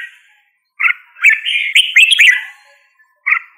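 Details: A red-whiskered bulbul sings one run of lively, slurred whistles that rise and fall, set off by short quiet gaps and a brief closing note.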